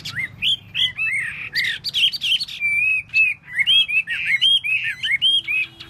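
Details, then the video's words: A Chinese hwamei performing its tail dance sings a lively sequence of clear whistles, long sustained notes alternating with quick looping slurs and sharp accents. "Hoa mi mua duoi"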